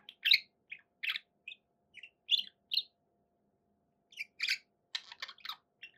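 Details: Pet budgerigars giving short separate chirps and sharp tweets, spaced irregularly with quiet gaps, a few brief clusters near the end.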